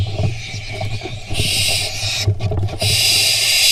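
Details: Barn owl fledglings at a nest camera in Israel, 16 June 2021, fighting over a vole. Rough, breathy hissing screeches begin partway through and run almost unbroken, with a low rumble of background noise beneath.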